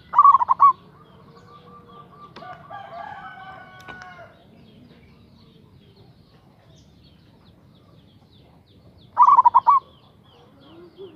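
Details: Local zebra dove lure song aimed at a rival: two rolling staccato coo phrases nine seconds apart, with other tonal whistles and clicks in between and a soft low murmur behind.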